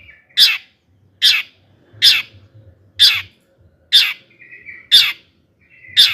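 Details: Long-tailed shrike giving harsh 'toet' calls to make other shrikes sing: loud rasping notes about once a second, with a short whistled tone slipped between two of them.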